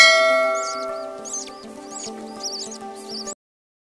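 A budgerigar gives about five short, high, warbling chirps in quick bursts over steady ringing musical tones.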